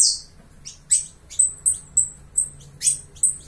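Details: Saffron finch from Uruguay singing: a run of sharp, very high chipping notes, each with a quick downward sweep, delivered about every third to half second, over a faint low background hum.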